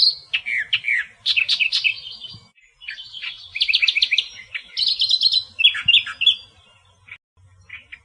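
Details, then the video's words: Australian reed warbler in natural song: harsh, grating phrases jumping between chattering runs and squeaky notes, each motif repeated a few times before switching, with brief pauses and faint low background rumble. "Burung Kerak Basi Australia Suara Asli Kicauan Alam"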